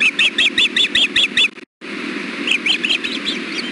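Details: Osprey nest camera at Hellgate, 6.4.16 at 4:00 pm, during a fish delivery with the male giving the female bites. Rapid shrill chirps, a brief silent gap, then a softer, looser run of similar notes.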